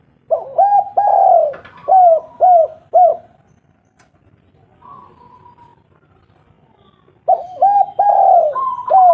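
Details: Local spotted dove lure call for birds that are slow to sing: bursts of bending coos and rapid repeated notes, a long quiet gap with a faint tone, then a fresh burst of coos.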